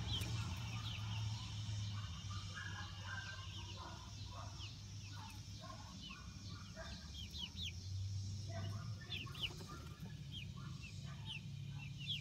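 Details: Month-old Light Brahma chicks playing in their coop run outdoors: a busy chorus of high, falling peeps, mixed with softer, lower clucking notes, continuing steadily throughout against a low hum.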